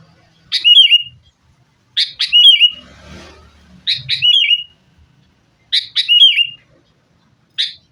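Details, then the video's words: Sooty-headed bulbul fighting lure song for caged birds: repeated short phrases of a harsh burst and a bubbling slurred note, roughly every one and a half seconds, with a faint low rustle between. "kutilang gacor TARUNG buat pancingan kutilang agar bunyi jadikan burung kutilang gacor"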